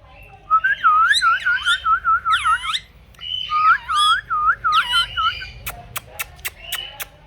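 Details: Pet rose-ringed parakeet, called a talking parrot. Rapid strings of swooping, looping whistles form two phrases, then a run of sharp clicking pips repeated about every quarter second.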